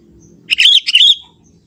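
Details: Wild young sooty-headed bulbul in forest, delivering two clustered bursts of sharp, chattering whistled notes with a brief gap between, over a low murmur of background noise.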